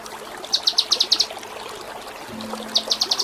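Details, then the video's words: Kinoi training song in a tembak style: a brief run of sharp, rapidly repeated high notes, a pause, then the same stuttering series starting again, fairly soft against a faint hum. "Masteran Mewah KINOI || Ngepik Kapas Tembak || Nembak Cililin"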